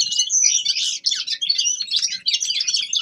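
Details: Young male common linnet singing a winter warm-up song: a dense, continuous twittering of quick chirps and short trills, loud and unbroken, with no other sounds.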